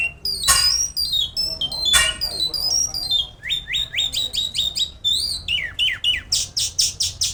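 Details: Jal lark from Pakistan in full song: high descending whistled slurs, then a run of rising chirps repeated about three times a second, ending in buzzy, rasping notes in a steady fast rhythm.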